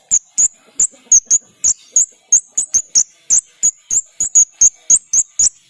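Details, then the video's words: Long, monotonous run of high, thin chirps repeated about three times a second, the repetitive song of a kept white-shouldered starling used as a master song for other songbirds. "Jalak Rio Rio Gacor || Masteran Yang Unik Untuk Burung Kicau Kalian."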